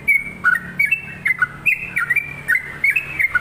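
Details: Sooty-headed bulbul in lively song, pouring out bright gurgling whistled notes that jump between two pitch levels in quick succession, with faint low hum beneath.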